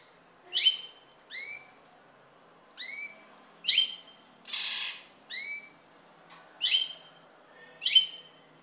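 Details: Common linnet repeating crisp chirps, alternating falling and upward-slurred notes roughly every second, with one harsh noisy burst in the middle of the series.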